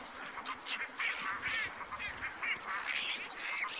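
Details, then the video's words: Black-crowned night herons calling in the wild, a near-continuous stream of raspy, nasal squawks overlapping one another with barely any pause. "Suara Burung Kowak Malam Abu Di Alam (Nycticorax nycticorax)"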